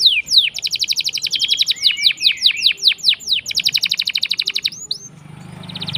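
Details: Canary pouring out its rolling lure song for silent canaries: a downslurred note, a rapid buzzy trill, a run of falling sweeps, another fast trill, then quieter notes over a low hum.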